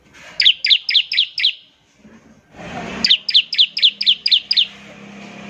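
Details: Bar-winged prinia (ciblek) singing in ngebren style, used to prompt other prinias to sing: two bursts of five to six sharp high chirps, each falling then rising, about four per second, separated by a brief rustling noise.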